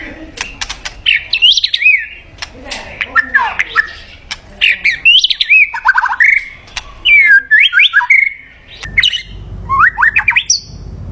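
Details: White-rumped shama song used to lure a mate: bursts of varied whistles, swooping and warbled phrases with harsh clicks between them, repeated every second or two.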